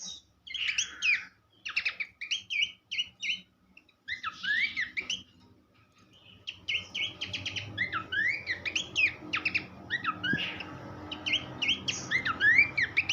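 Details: Horsfield's babbler song for training songbirds: evenly spaced short rattling phrases at first, then a denser, continuous run of swooping and looping whistles over a rising low background rumble.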